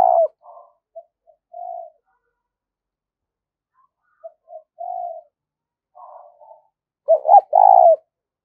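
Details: Spotted dove giving a provoking coo used to lure wild doves to a trap: soft low cooing notes in scattered bursts, a short lone coo, long pauses, then a louder run of throaty coos near the end.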